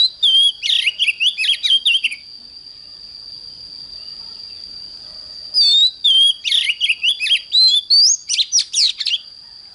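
An Oriental magpie-robin sings two bursts of rich, varied whistles, slurred notes and quick trills, separated by a pause. A steady high whine runs underneath throughout.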